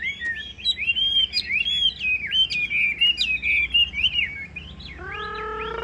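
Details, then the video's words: Rich, rapid warbling from a caged Chinese hwamei, continuous looping whistled phrases with quick trills, ending in a lower, harmonic-rich call. "Họa mi"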